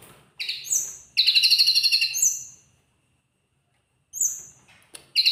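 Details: Lark singing in a lively, full-voiced way: bright high whistled notes, then a fast even trill of rapid repeated pulses lasting about a second, a pause of silence, and short whistles resuming.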